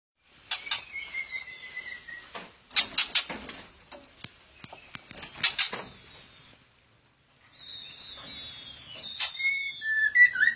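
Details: White-rumped shama (murai batu) in a captive breeding aviary: high thin whistles and sharp clicking notes in bursts, a brief silence, then loud sustained high whistled phrases with lower slurred notes.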